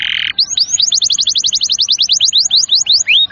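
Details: Canary song used as a tutor for young and reluctant canaries: a short buzzy note opens a rapid trill of clear upward-sweeping whistles that slows toward the end into spaced, longer rising slurs.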